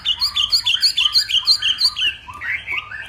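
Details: Hwamei from the Vietnamese northwest, morning contest singing: a quick run of about ten identical sharp, bright whistled notes, then lower slurred phrases.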